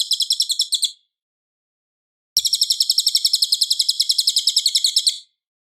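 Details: Cililin in loud, clear song for tutoring a white-rumped shama: the tail of one rapid trill, more than a second of silence, then a longer, evenly pulsed shrill trill of about three seconds.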